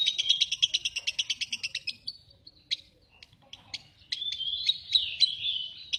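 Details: Lovebird starting with a fast, even burst of sharp, high ticking notes, about six per second. A short pause follows, then scattered squeaky chirps and a buzzy, warbling run.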